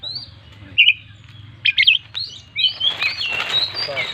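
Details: Kept Oriental magpie-robin singing varied phrases meant to stir other birds: scattered sharp whistled notes and short chirps, then a dense warbling passage partly masked by broad hiss, over a low hum.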